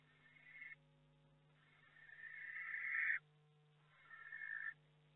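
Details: Inside a barn owl nest box during a week in May, with eggs hatching: three rasping, breathy screeches, the middle one longest and building in loudness for about a second and a half, with a constant low mains hum.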